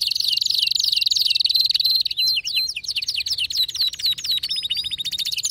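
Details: Canary singing fiercely in an excited, wild-sounding outburst: a fast high trill held for two seconds, then quick repeated rising and falling whistled notes and a rapid buzzy rattle.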